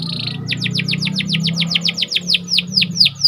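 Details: Panda canary, described as a symmetrical, actively singing bird, with song meant to stir up other canaries: a steady series of quick descending whistled sweeps, about five per second, over a faint low hum.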